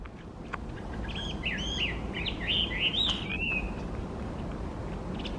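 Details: Chinese hwamei (Garrulax canorus), a wild bird at the Tokyo Metropolitan Agriculture and Forestry Research Center, sings a rich, varied phrase of loud slurred whistles and quick rising and falling notes over a steady low background rumble.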